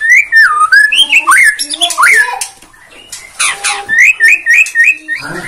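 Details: White-rumped shama (Borneo form) used as a lure to provoke singing: rich looping whistles rising and falling, a harsh burst mid-phrase, then a quick series of five repeated upslurred whistled notes.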